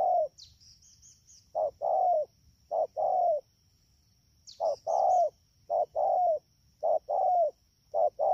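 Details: Spotted dove caught from the wild, recorded at Đak Tô on 3 October 2019 in the rainy season, cooing in two bursts of paired notes, short then longer and falling, separated by a pause; a thin high whine persists.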